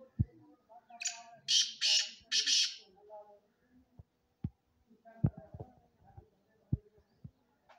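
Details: Black francolin uttering a scratchy, buzzy call of three to four grating notes in a rapid burst, followed by scattered sharp clicks and knocks and faint low chatter.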